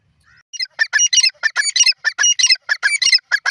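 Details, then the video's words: Grey francolin (teetar) calling: a rapid series of loud, harsh, clustered notes repeated about every quarter second, broadband and high-pitched, after a brief faint note at the start. "teeter bird sound;francolin bird awaaz"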